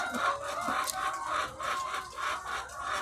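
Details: On a farm housing thousands of egg-laying chickens, overlapping cackles rise and fall in uneven swells, punctuated by sharp individual clucks and brief squawks.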